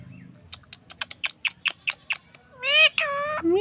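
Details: Parrot giving a run of short, sharp ticking chirps, about eight in two seconds, then a loud, rough, harmonic squawk ending in a brief rising note, over a faint low hum.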